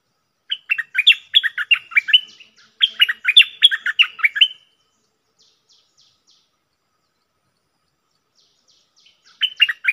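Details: Red-whiskered bulbul kept as a decoy bird delivers two rapid bursts of clear, swooping whistled notes, followed by several seconds of near silence before another short burst begins.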